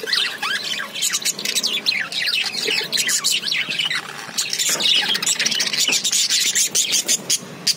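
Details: Budgerigars chirping: a dense, continuous chatter of overlapping high, quick warbled chirps and squawky notes, with many birds apparently calling at once and no pauses.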